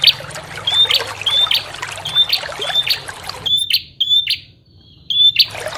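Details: High whistled notes of a bar-winged prinia, played as a lure, repeat at an even pace with trickling water behind. Then a brief drop to near silence, after which the whistles resume.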